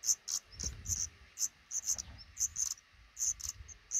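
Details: Black redstart couple raising five chicks in a roof nook right above a front door; repeated short, shrill high peeps in irregular clusters over faint low rumbling and shuffling.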